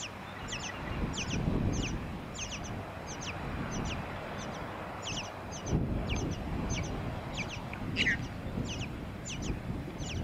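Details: Tawny-crowned honeyeater calling in Victoria, Australia, in September 2017. Steady stream of high, sharp notes that drop quickly in pitch, mostly in close pairs, against rumbling background noise.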